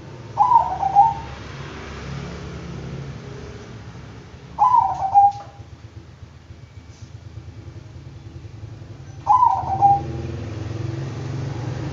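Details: Singing zebra dove of the Bangkok type: three trilled, rolling coo phrases spaced about four and a half seconds apart, each closing on a short level note, with a persistent low drone underneath.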